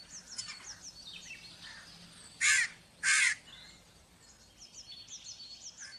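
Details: Crow giving two harsh, loud caws about half a second apart, with faint small-bird chirps and twitters before and after.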